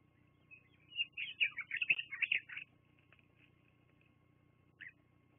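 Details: At the Fraser Point nest, bald eagles filmed by a live nest camera on 24 September 2022 about 12:14 give one rapid series of shrill, chirping calls lasting about a second and a half, then near silence and a single brief note.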